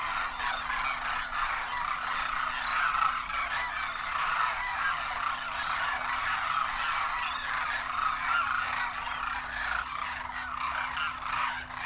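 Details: A migratory flock of hundreds of demoiselle cranes wintering at Kheechan village, Rajasthan, India, calls while foraging near a waterhole in a dry landscape: a continuous overlapping chorus of harsh, rolling croaks and honks over a low steady hum.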